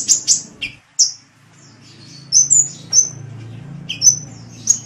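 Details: Sunbird (kolibri) gives scattered, thin, very high chips and short whistled notes, some sliding down, in irregular bursts. A low background hum runs underneath.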